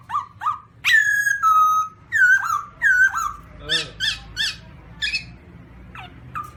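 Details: Song of a black-throated laughingthrush (Garrulax chinensis): short whistled notes, then a long loud falling whistle, more slurred phrases and scratchy harsh calls, with low background hum.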